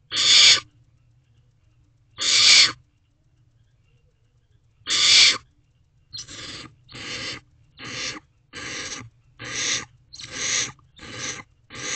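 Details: At midnight on 21 May 2023, wild barn owl owlets preen one another inside a nest box while awaiting food. Their harsh hissing screeches start widely spaced, then come quicker and shorter, about once a second, over a steady low hum.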